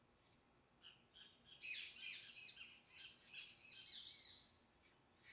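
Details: In the Amazon of Amapá, Brazil, palm tanager chicks are fed by a parent and give a burst of high, thin, scratchy chirps that overlap quickly for about three seconds, with a few softer notes before and after.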